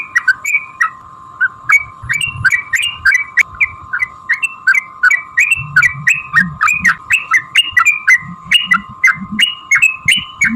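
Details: A yellow-vented bulbul delivers a prolonged fighting song intended to stir rival bulbuls into song; bright slurred whistles come in quick, uneven bursts throughout, with a constant tonal hum and soft low thumps behind.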